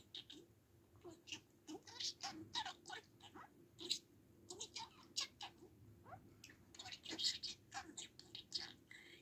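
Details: Pet budgerigar talking and chattering: a fast, quiet stream of scratchy clicks, chirps and warbled syllables with short whistled notes, continuous throughout.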